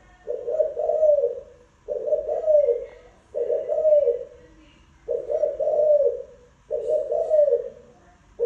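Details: Spotted dove giving repeated low, husky coo phrases, each about a second long with a slight rising-falling shape, spaced evenly with short pauses, five full phrases and the start of another.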